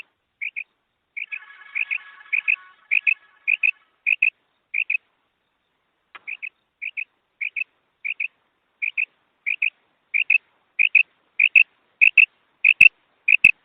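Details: Female quail call used as a lure for hunting: short high paired notes repeated about every half second, steady and sharp, with a brief rustling noise early on and a couple of clicks near the end.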